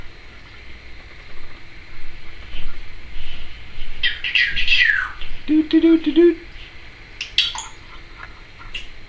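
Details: Indoor Timneh African grey parrot, a pet that says trick or treat; raspy squawks and chattering, voice-like syllables with a lower harmonic burst midway, then short sharp chirps against room hum.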